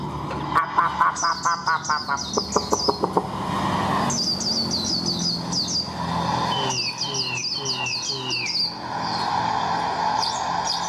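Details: Caged wild-caught Chinese hwamei, kept about a month, prompted to sing: series of loud high whistled downslurred notes in quick runs, after an opening burst of rapid repeated ticking notes, over steady low hum and background noise.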